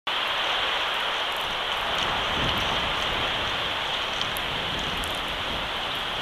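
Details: Steady heavy rain hisses on a surface throughout, with no animal voice heard.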